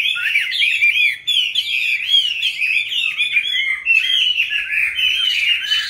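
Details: A Chinese hwamei, wild-caught and raised in a cage into its fifth year, pours out a continuous stream of rich, bouncing whistles that rise and fall quickly, with no other sounds heard.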